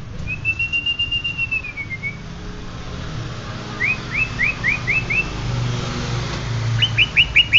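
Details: Greater green leafbird of the genuine Banyuwangi strain: a long wavering whistle falling at the end, a pause, then a neat series of five quick upswept notes and a final rapid chatter.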